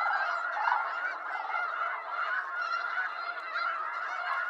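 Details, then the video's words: Massed honking of a snow goose flock from eastern North America, a continuous, thick wall of overlapping nasal calls with no gaps, evenly loud throughout. "Snow Goose Sounds"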